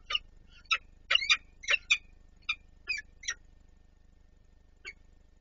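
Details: Adult peregrine falcon feeding another at the Palace of Culture and Science, Warsaw, 26 April 2024. Rough, scratchy calls come in an uneven series, closely spaced at first and then thinning out to a single late note.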